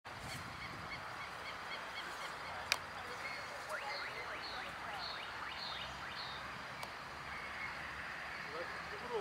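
Green ibis giving a rapid run of repeated, rolling notes over several seconds, fairly faint, against steady background hiss and a few sharp knocks.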